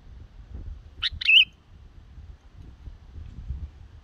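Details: Young yellow-vented bulbul, black-headed form, in song practice used as a trapping lure; a single brief burst of two sharp notes and a quick warbled twist, then quiet low background rumble.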